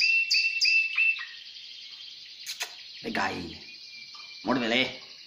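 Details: Timbrado canary song with a few short swept notes, then a steady high trill running underneath. Two bursts of a man speaking Spanish cut in over the singing.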